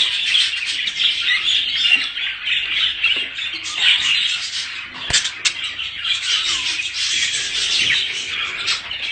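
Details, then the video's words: Budgerigars in mating chatter intended to spur breeding: steady, dense, high-pitched warbling and squawking with a sharp click about midway, hardly pausing. "صوت تزاوج العصافير الاسترالي محفز ليهم"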